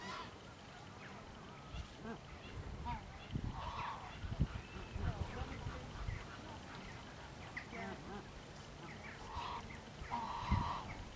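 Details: Swan goose at Slimbridge giving a few loud, nasal honks spaced several seconds apart over a low rumbling background with faint murmurs.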